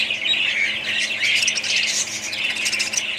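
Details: Budgerigars in a colony: dense, continuous chattering of many birds, overlapping squawky warbles and short chirps that blur into an unbroken high-pitched hubbub.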